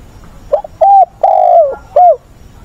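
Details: Decoy spotted dove singing in the frustrated voice of a newly caught bird, used for training captured doves. It gives one cooing phrase: a short doubled opening note, a steady coo, an extended falling coo and a brief final hoot.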